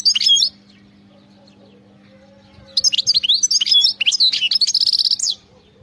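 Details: Singing wild European goldfinch: a short twitter, a quiet gap of about two seconds, then a long lively phrase of chirps, slurred whistles and a fast buzzy trill.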